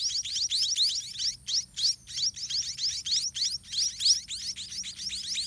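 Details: Hungry baby white-rumped munias (white-rumped mannikin) beg as parent birds feed them in the nest; a steady, insistent string of high, rising squeaks with short gaps between clusters.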